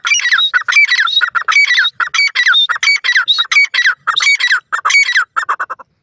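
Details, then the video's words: Ring-necked pheasant calling: a loud, close run of harsh squawking notes with rich overtones, some bending up and down, given in quick bursts about every half second with brief pauses between groups. "ringneck pheasant bird sound"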